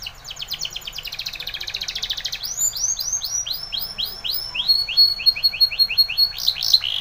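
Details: Spanish Timbrado canary singing a training song: a fast buzzy trill, then a run of rapid downward-curving whistled notes, ending in quick repeated chips over a steady high tone.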